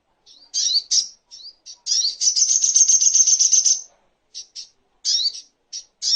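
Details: Crimson sunbird (sogok ontong) singing, recorded as tutoring material for songbirds: scattered short, very high, sharp chirps and slurred notes, broken by a rapid high buzzy trill of about two seconds, then more isolated chirps. Background otherwise silent.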